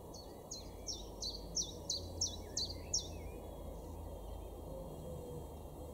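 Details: Common chiffchaff singing as a garden bird in Weener, East Frisia, far northwest Germany, April 2022: about nine sharp, high notes in three seconds, alternating slightly up and down in pitch, over low rural background noise and faint chirps from other birds.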